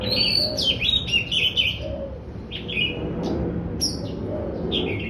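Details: Daurian redstart in cheerful chattering song, opening with a dense burst of high warbled twitters, then short scattered chirps and sharp thin notes. Soft low cooing runs underneath.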